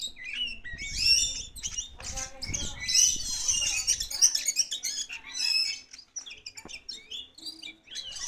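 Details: Oriental magpie-robin, Kacer Poci type, singing vigorously after release: bursts of sharp high whistles and rapid chattering phrases, fading into scattered chirps, with low thumps and brief human voices at the end.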